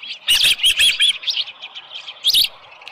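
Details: Osprey at a ranch nest, 24 July 2018 around 6:52 AM, headless fish present; four quick loud whistled chirps, a softer pause, then one more sharp cheep.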